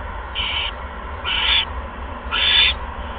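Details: Owl at a nest on a live camera, 16 February 2015 at 8:38 PM, as a second mouse is brought to the nest; three harsh, hissy screech bursts about a second apart, each roughly a third of a second long, over low steady hum.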